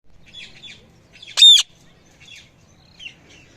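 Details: Parrot giving one loud, harsh squawk with bright overtones, framed by softer, brief chirps before and after it in a quiet setting.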